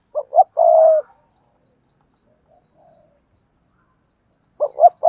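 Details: Spotted dove in the Cườm Sa song style: two short coos and a longer throaty coo, a long quiet pause with faint murmuring, then the next phrase begins.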